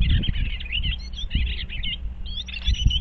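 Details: Eastern bluebirds checking out a birdhouse, 25 February 2023: dense overlapping warbled chatter of several birds, twittering continuously, with low knocks beneath.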